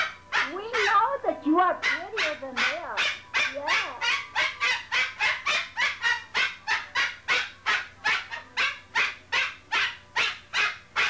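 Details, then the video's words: A female pet cockatoo gives a few wavering, voice-like talking sounds, then a long run of breathy, whispered "stage whisper" bursts, nearly three per second, with faint background hum. "Talking Cockatoo"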